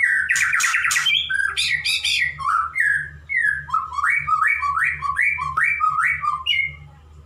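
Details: Male white-rumped shama (murai) singing to court a female, a kept pet bird: loud varied phrases of rich whistles, rising slurred notes repeated in a series, and sharp chattering bursts, with a steady low hum beneath.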